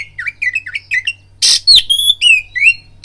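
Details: Magpie-robin lure song for provoking fights: a run of rising and falling whistled notes, then a harsh noisy burst followed by clear high whistles, with a soft low hum.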